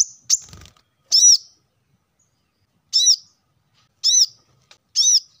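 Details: Plain-throated sunbird calls used to stimulate caged birds into song: a brief high note and soft rustle, then four piercing, arched chirps with bright overtones at uneven one-to-two-second gaps.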